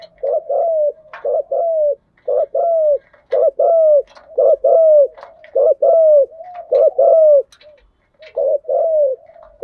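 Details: Spotted dove, male and female, calling as a decoy to excite newly caught doves, in 'thúc gù' and 'gáy gọi' styles: a dense, regular string of short mellow coos, nearly one per second, with a soft continuous murmur beneath.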